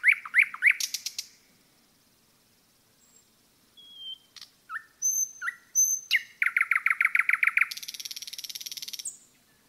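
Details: Varied forest song of a common nightingale: rising chirps and a buzz, then high thin whistles and sharp notes. A loud train of repeated notes follows, ending in a buzzy trill.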